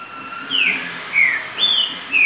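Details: Green-winged saltator in virador song: a faint steady whistle at first, then four clear downslurred whistled notes spaced roughly half a second apart, alternating high and slightly lower.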